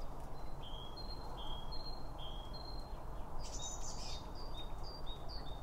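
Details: Birds gathered at a feeder and eating, recorded with two binaural microphones near the feed: repeated high whistled notes alternating between two pitches, plus a brief burst of sharp, very high twittering, over low background noise.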